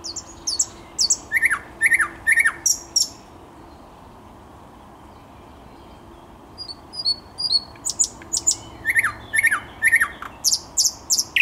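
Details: Thrush nightingale song from 10 May 2021 in two bursts separated by a four-second silence, each made of loud clicking strokes and lower swooping notes mixed with high whistles.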